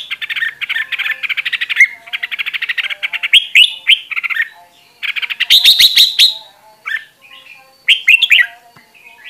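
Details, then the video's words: Red-whiskered bulbul singing, recorded for voice training: a fast stuttering run of chirps, then brighter whistled phrases broken by short pauses and a few sharp clicks. "Luyện Giọng Chào Mào Mồi - Chào Mào Giàn Đạt Căng Lửa"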